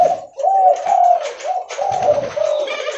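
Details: Spotted dove, locally derkuku leopard, cooing loudly and often as it walks. Soft, rounded coo notes follow one another closely in a steady, slightly wavering stream.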